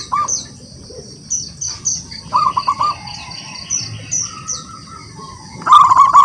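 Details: Local wild zebra dove calling out to rivals: scattered short coos and a brief run of soft notes, ending with a louder rolling burst. Chirping insects and high trills sound throughout.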